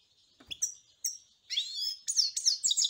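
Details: European goldfinch delivering scattered sharp chirps, then a liquid warbling run and a string of rapid, high, tinkling twitters.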